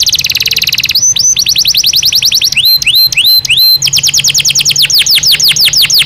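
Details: Natural singing from a Belgian canary: a quick, even trill, a long series of rising swept notes at about three per second, clear paired whistles, then more rapid sweeping notes.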